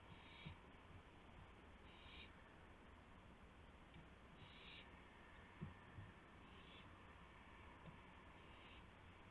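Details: Owl at the nest with prey, a gopher, in the early hours of March 24, 2016, about 1:00 AM. Five breathy hissing bursts, each about half a second long, repeat roughly every two seconds, with occasional faint taps.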